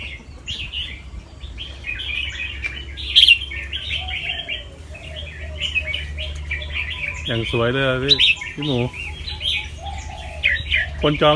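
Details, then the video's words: Red-whiskered bulbul of a competition line, an albino fancy form with red eyes, kept caged in Chonburi, Thailand, in practice singing: quick bubbling warbled phrases, other bulbuls joining in, and a man's voice briefly talking near the end. "นกกรงหัวจุกแฟนซี เผือกขาว ตาแดง เจ้าฉลามชล เสียงร้องเบิ้ลๆ ริกๆ สับไว"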